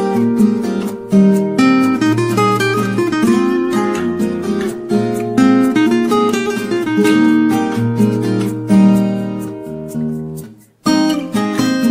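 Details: Strummed and plucked acoustic guitar music plays throughout, with no animal sounds.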